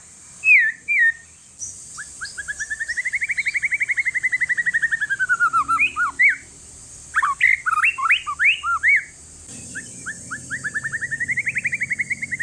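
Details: White-rumped shama of Aceh forest stock, aged one year, singing to prompt reluctant shamas: a few whistles, then a long rhythmic rolling series rising and falling, clipped jumbled notes, and another fast rolling run; steady hiss throughout.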